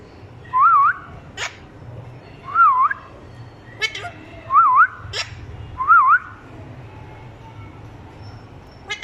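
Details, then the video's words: Parrot copying the voice of a small child: four short wavy whistled phrases, each rising and falling, about every one and a half to two seconds, with sharp clicking taps between them over a low steady hum. "parrots speaking"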